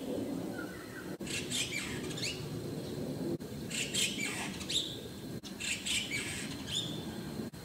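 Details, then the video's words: White-cheeked starling calling: bursts of sharp, high chirps and squeaky notes in three clusters about two seconds apart, over a low rumbling background. "White-cheeked Starling 찌르레기 소리"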